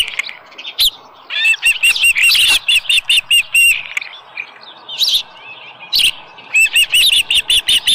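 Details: Osprey calling at its nest after bringing in a small live fish, 7:10 AM on 13 July 2018. Rapid runs of loud, high, upslurred chirps repeat in quick series, with brief pauses and a few flapping sounds between them.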